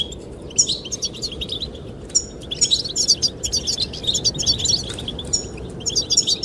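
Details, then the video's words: Goldfinches singing to attract the female in the wind: a long, lively sequence of rapid, high, tinkling chirps that thickens toward the middle, with steady wind noise beneath. "the chirping of goldfinches"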